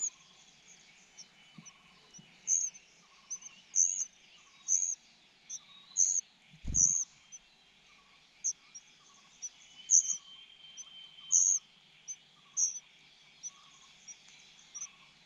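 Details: Cuckoo being fed and begging for more, giving a steady series of brief, piercing high squeaks about once a second, with faint lower peeping notes and a single dull knock.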